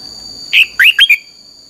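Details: Red-whiskered bulbul giving a short 'căng lửa' style training phrase, used as a lure for training other birds: four clear, upslurred and downslurred whistled notes in under a second, over a faint steady high tone.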